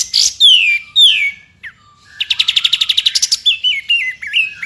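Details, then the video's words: White-rumped shama tembakan for training a champion bird: bright falling whistles and a brief dip, then a rapid machine-gun burst of a dozen notes, followed by a stepped, wavering whistled phrase. "MASTERAN TEMBAKAN YANG WAJIB MASUK KE ISIAN MURAI BATU JUARA"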